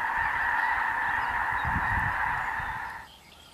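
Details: Snow geese, including blue morphs, feeding and loafing with Ross's geese and other waterfowl during spring migration through the Dakotas prairies; a loud, steady massed din of honking holds for three seconds, then drops away abruptly.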